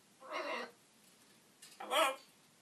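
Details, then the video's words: Pet macaw mimicking human words, two short harsh voiced utterances about a second apart in a quiet indoor setting. "Dori talking"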